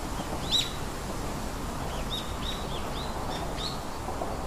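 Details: Three baby birds in a nest give short, thin, high chirps, some rising and some falling, scattered across a few seconds over a steady broadband hiss of background noise.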